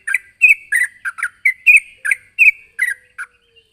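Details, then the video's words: Sooty-headed bulbul, vocal and calling a rival: a brisk series of about eleven short, chirpy, slightly squawking notes, some doubled, over under four seconds against a quiet background. "suara burung trucukan gacor memanggil lawan"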